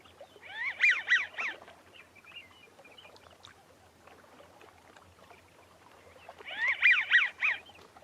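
American Wigeon giving two bursts of breathy, wheezy whistles, about three notes each, roughly six seconds apart, with faint background noise between them.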